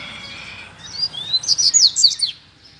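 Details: Wild and caged double-collared seedeaters calling to fight: a rising thin whistle leads into a brisk series of loud, high, chipping notes lasting about a second, over a soft background hiss.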